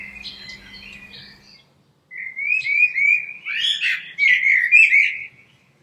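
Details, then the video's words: Common blackbird song: a short warbled phrase, a brief pause, then a long, loud run of fluting, warbling notes mixed with higher twittery flourishes. "Heute Vogelgesang der Amsel"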